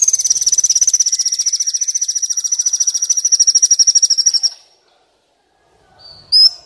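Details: Recording of a sunbird played to train captive birds to sing and to lure wild ones: a fast, steady high trill of rapidly repeated notes lasting about four and a half seconds, then silence and one short, sharp high note.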